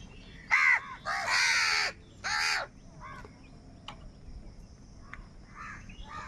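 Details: Crows quarrelling over food deliver three loud, grating caws in quick succession, the middle one long, then softer caws trail off beneath a faint steady tone and ticks.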